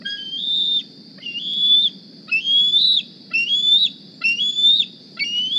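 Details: Morning begging from a juvenile bald eagle carrying a GPS transmitter, flying to its nest for food: six shrill whistles, each climbing then dipping at the end, spaced about a second apart, with constant hiss underneath.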